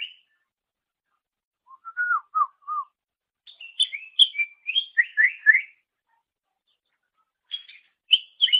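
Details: Greater green leafbird singing on a master recording for training songbirds: a short high whistle, then lower slurred notes near the middle, and after a pause a run of bright, sweeping, varied whistled phrases, with a quiet gap before closing notes.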